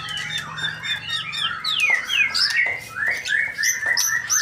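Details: Male white-rumped shama in full song: rich, varied whistled phrases sliding up and down, with quick rising and falling notes and sharp high accents delivered in rapid succession, no pauses, over a faint low hum.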